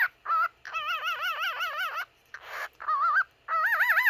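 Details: A cockatiel (Nymphicus hollandicus) sings a warbling whistled song of wavering, vibrato-like notes broken by short pauses.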